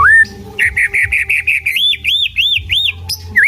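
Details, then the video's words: White-rumped shama singing and constantly switching tunes: a rising whistle, then a fast run of short notes near one pitch, then a series of looping arched whistles, ending with a dipping note; low hum underneath. "chòe lửa hót hay, đảo giọng liên tục"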